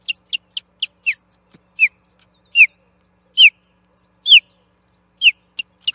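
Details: Osprey fighting an interloper over the Charlo nest platform on 8 June 2021: a rapid run of short piping chirps, then louder drawn-out descending whistles roughly every second, with a final quick burst of chirps.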